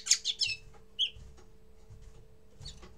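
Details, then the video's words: Common linnet in its first song, a short burst of three quick twittered notes followed by a single clear whistle, then near silence with a steady low hum. "Первое пение коноплянки"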